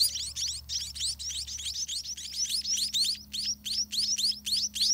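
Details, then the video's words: Hungry scaly-breasted munia chicks begging in a dirty nest as parents feed them all day; rapid, high rising chirps repeated about three or four times a second in a steady stream, with a faint low hum beneath. "Hungry Spotted Munia Baby Eat All Day"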